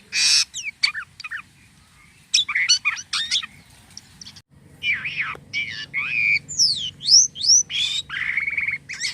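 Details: Starling (jalak kapas) in active, unusual song: bursts of harsh squawky notes, a pause, then varied warbled and whistled phrases with rising and falling slurred notes, over a low constant hum.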